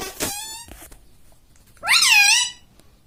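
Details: A talking pet parrot, said to say 'Mummy', gives a short harmonic syllable, then after a one-second pause a louder arched, nasal voice-like sound.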